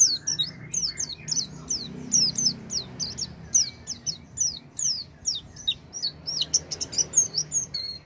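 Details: Oriental white-eye song to stir a silent white-eye into singing: a continuous, rapid twitter of high, downslurred notes running for about eight seconds with almost no break.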